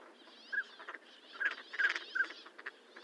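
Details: Short piping whistles from a northern pintail, four notes spread through the clip amid soft rustling and low chatter.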